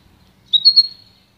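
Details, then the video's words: Pintagol, a goldfinch and canary hybrid, giving a single short bright whistled note that rises slightly and holds level, in a quiet room with faint low hum. "canto puro do pintagol"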